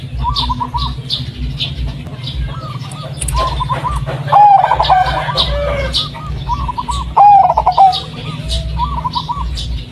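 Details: Local Indonesian zebra dove of the blorok madu type, striped with white patches, singing to lure doves kept at home: repeated short trilled coo phrases every few seconds, with louder bubbling notes midway, over a steady low hum.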